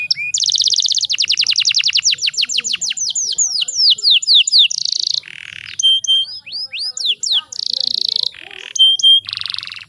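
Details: Canary female in breeding condition, used to make males sing: a fast buzzing trill slowing into falling sweeps, then alternating buzzy bursts and pure whistled tones.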